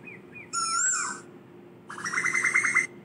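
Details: Asian koel call meant to gather the flock: a single falling whistled note with ringing overtones, a pause, then a fast burst of about eight short rising notes.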